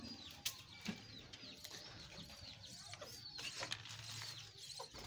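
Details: A colony of pet budgerigars kept alongside small chickens chatter all at once in a busy warble of high, quick chirps and squeaky notes, with a few sharp clicks and knocks heard throughout.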